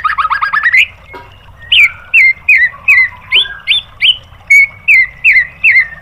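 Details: White-rumped shama training song, played to provoke other birds into replying. A rapid rising trill opens, then clear whistled notes repeat about three times a second, each a short upslurred or downslurred phrase, over a faint low hum.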